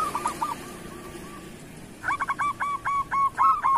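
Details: Local zebra dove of the kerot type, recorded as master song for other doves. A faint trill gives way to a clear run of about nine evenly spaced, short, bouncing coo notes, slightly rising in loudness.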